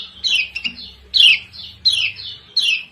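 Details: Lemon-bellied white-eye (kecial kuning Lombok), female ciak ciak call used as a lure to provoke lazy birds into singing: four harsh, downward-sliding chirps spaced about two-thirds of a second apart, with a faint low hum beneath.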